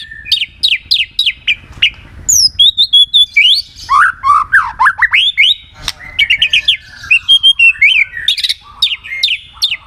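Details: White-rumped shama song for prompting other shamas to sing: repeated sharp rising notes, high chirps, then a long varied stream of swooping whistles and twitters, fairly loud and continuous.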